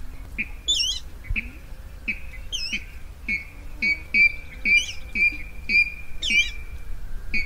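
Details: Rail lure calls for night net trapping: a quick, uneven series of short, high, clipped notes, nearly two per second, mixed with wavering squeals, over a continuous low rumble.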